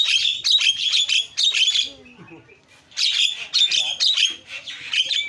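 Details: Javan myna lure call to prompt answering mynas: dense, noisy screeching bursts in two loud bouts, separated by a brief quieter gap with low chattering.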